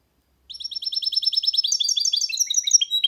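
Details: Singing goldfinch mule, a hybrid: a fast run of evenly repeated high chirps that grows into a dense, jangling twitter with sharper notes mixed in and continues to the end.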